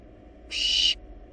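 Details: Wild barn owl chicks in a nest box, eating a large rabbit, produce one strong breathy hiss of about half a second with a faint tonal edge, over quiet background hum.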